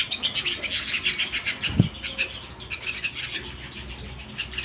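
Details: Canary at home with a lively high song of quick chirps and sweeping notes, a brief low thud near the second mark, the song softening toward the end.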